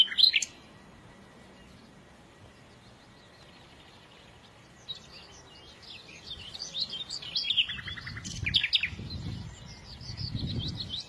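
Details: Small birds chirping: a loud burst of high tweets at the start, a quiet gap, then a busy tangle of high chirps and a short buzzy rattle over low rumbling background noise.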